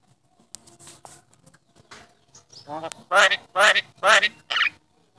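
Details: Contest-champion starling talking: a run of four loud, speech-like syllables in quick succession, each with stacked harmonics, after quieter scattered clicks and murmurs.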